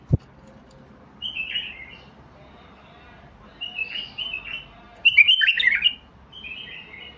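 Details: Song of a Basra bulbul: three spaced warbling phrases, the last loudest and most complex, with tumbling whistled notes and a click at the start.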